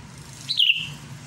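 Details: Sooty-headed bulbul calling out a rival with keen song. A single brisk, gurgling whistled phrase that drops and fades into a thin trailing tone.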